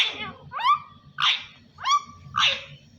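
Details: A talking parrot, said to be saying "Allah Hoo", alternates between rising, whistle-like syllables and raspy, breathy bursts, four phrases in three seconds. Laughter follows right after.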